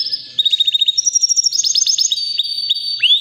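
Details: Singing white canary, about three years old, healthy: a steady high note, then quick staccato trills stepping between pitches, ending in an upward-swooping whistle.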